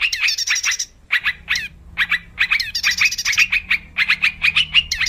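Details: Lure song of a wild yellow-vented bulbul for trapping: a chirpy opening phrase, a one-second silence, then spaced notes building into fast chattering with buzzy overtones and a faint low hum.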